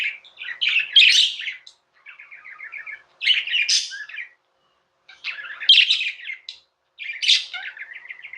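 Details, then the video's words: Tame pet budgerigars chirping: four bursts of fast, scratchy warbled chatter mixed with sharp high chirps and short buzzy trills, separated by brief pauses of about a second. "Budgies | Talking | Singing | Chirping sounds"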